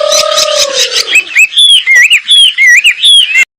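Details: Wambi, a bird here singing prolifically in an unusual style: after a long low sliding tone, a run of quick whistled notes follows, each a short arching or rising slur, repeated at a brisk, uneven pace.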